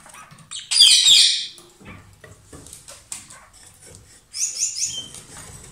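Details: Pair of lovebirds in loud song, giving a piercing, grating screech near the start, quiet scratchy sounds in between, then a burst of rapid squeaky chirps toward the end.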